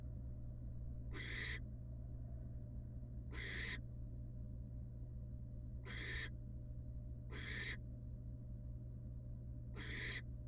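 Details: At a monitored wild barn owl nest box, the female returns to her young after producing a pellet; five coarse, breathy screeching hisses at uneven intervals of one to two and a half seconds, over low hum.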